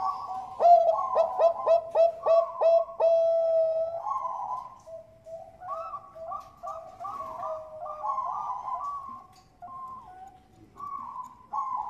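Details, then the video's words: Bangkok-type zebra doves, bred in Bekasi, West Java, singing as a lure for other birds: a rapid series of sharp repeated notes about four per second, then warbling layered coos from more than one bird. "Pancingan perkutut bangkok gacor ampuh"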